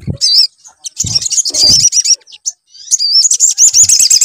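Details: Sunbird (sogon) lure song for triggering a bird to sing. Short bursts of shrill, quickly warbled twittering are separated by pauses, with low thudding handling noises in between.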